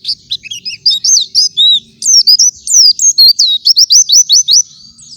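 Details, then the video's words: Morning white-eye song meant as a master song for other white-eyes: a long, fast, high-pitched jumble of sweet whistled and twittering notes, loops and slurs, ending in a run of rapidly repeated rising chips. "Gacoran suara pleci di pagi hari"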